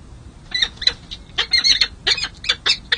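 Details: Newly hatched peregrine falcon chicks on a city hall nest ledge in San Jose, recorded by nest cam on 2 May 2024 at second hatch and first feeding; harsh, high squawking notes in rapid uneven bursts, some doubled.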